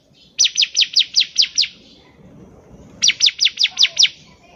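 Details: Bar-winged prinia singing vigorously, a lure to prompt other birds to sing: a fast series of seven high sweeping notes, a pause of over a second, then six more.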